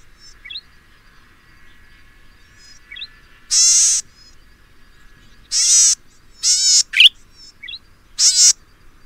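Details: Golden-headed cisticola, Taiwan endemic subspecies, Pingtung County, Taiwan, 2015: loud harsh buzzes each lasting about half a second, spaced one to two seconds apart, with soft high chips from other birds in between.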